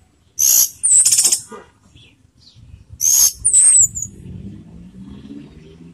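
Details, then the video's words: Orange-headed thrush in slurred teler-style song, used as a lure to raise emotion and breeding urge: two bursts of very high, sweeping whistles and rattles about two and a half seconds apart, with a low rumble behind. "PANCINGAN ANIS MERAH TELER || menaikan emosi dan birahi"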